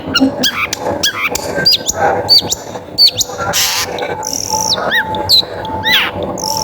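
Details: Vigorously singing long-tailed shrike, its song used as a lure to get other shrikes singing; a varied mix of short chirps, downslurred whistles and brief buzzy bursts, with a faint constant hum behind.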